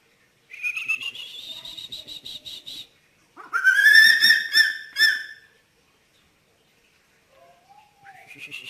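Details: Eagle calling at night, a strange, eerie sound: a rising whistled note followed by rapid pulsed repeats, then a louder harsh rising call with strong overtones. A short, quieter note and long silences come between.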